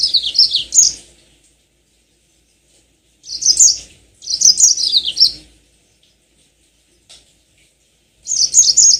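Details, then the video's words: High, sweet warbling from a yellow-fronted canary lure recording meant to prompt long rolling song: four brisk phrases of rapid down-slurred chirps, two of them close together, separated by quiet gaps of one to three seconds. "Pancingan tercepat burung mozambik biar gacor ngerol panjang"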